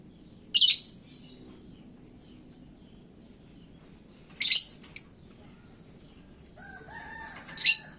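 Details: Caged lovebird hung aloft, singing hotly to stir up other birds: three short, harsh, high chattering bursts separated by long pauses. A faint lower crowing is heard near the end.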